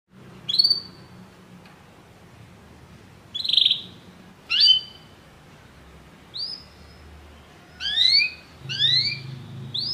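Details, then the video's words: Canaries, many singing together after hearing music, give sparse short bright upswept chirps and brief buzzy phrases, separated by pauses of one to two seconds, over a faint low hum. "muitos canários cantam junto depois de ouvir essa música"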